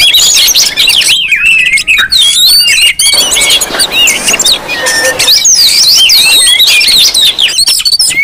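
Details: Lure recording of Oriental magpie-robins calling noisily to provoke others: loud squealing whistles and slurred high notes crowd together, briefly dipping in volume twice before resuming.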